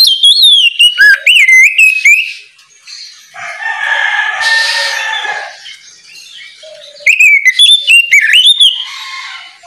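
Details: Oriental magpie-robin giving morning ngeplong song meant to draw untrained magpie-robins into singing: fast, loud whistled trills and slides at the start and end, with a longer harsh, crowing-like stretch between them.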